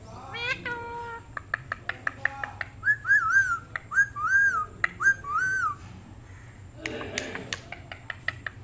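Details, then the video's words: Pet parrot indoors giving a sequence of clear whistled notes, several wavering rising-falling whistles repeated, interspersed with sharp clicks and a short noisy burst near the end. "Very cute parrot talking | Funny parrot talking video"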